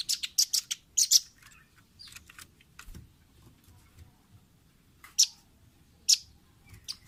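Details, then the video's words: Velvet-fronted nuthatch on a training recording meant for caged birds: a hurried cluster of shrill chips at the start, then widely spaced single piercing notes over faint background rustle. "Masteran Ampuh burung rambatan paruh merah/masteran audio rambatan jernih mudah di tiru"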